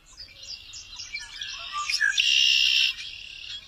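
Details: Red-winged blackbird (Agelaius phoeniceus) song: a burst of quick, scratchy introductory notes breaking into a loud, harsh, buzzing trill held for under a second.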